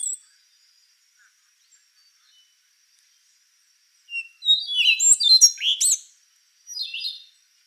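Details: Rufous-brown solitaire, an endangered frugivorous thrush, delivering a burst of very high, rapid, squeaky and ringing slurred notes after a silent stretch, then a shorter softer phrase.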